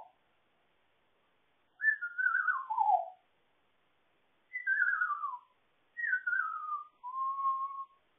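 An African grey parrot whistles a tune: four clear, pure phrases, the first three sliding downward, the last a steady held note, in a quiet room.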